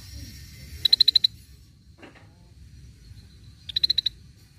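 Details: Cream-vented bulbul used as lure sound: two crisp rattling bursts of five or six bright, evenly spaced pulses about three seconds apart, with a faint soft rustle between them and low hum beneath.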